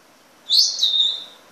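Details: African grey parrot making a single loud, high whistled note that rises sharply and then trails off, lasting about one second.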